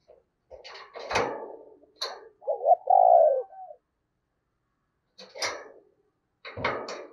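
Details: Tame decoy spotted dove at Tết time, cooing in the urging 'thúc gù' style meant to stir wild doves; a single low, drawn-out hoot sits between sharp clattering knocks and rustles.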